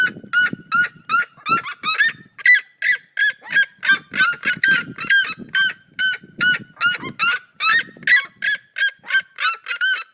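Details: Two red-legged seriemas of the cerrado singing in duet, a continuous run of loud, nasal, yelping notes about two to three per second, the two voices overlapping, with some low rustling noise beneath.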